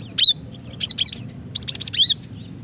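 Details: Female cinereous tit calling, used to lure birds and prompt singing: sharp high chirps and quick slurred whistles in loose bursts, some rising then dropping, with a short busy cluster near the end over a low steady hum.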